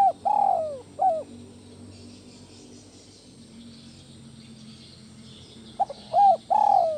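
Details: Spotted dove kept in a cage, calling to ease stress in other doves: the tail of a long falling coo and a short coo, a quiet gap with faint hum, then a new phrase beginning with soft notes and a coo.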